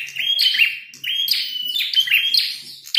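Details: Red-headed prinia in a fight, loud and chattering: quick buzzy high chirps with bright whistled flicks, in three or four tight bursts over a few seconds.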